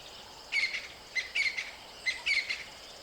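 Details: Crested francolin heard at some distance: three short bursts of scratchy, squeaky notes, each a quick stuttering phrase, over a quiet background hiss.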